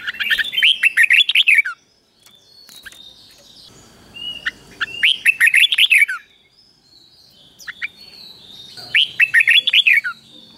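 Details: Red-whiskered bulbul song of the Thai double-note type, used to teach caged birds: three bubbling whistled phrases of rapid up-and-down notes, each about one and a half seconds, separated by quiet gaps with faint background noise.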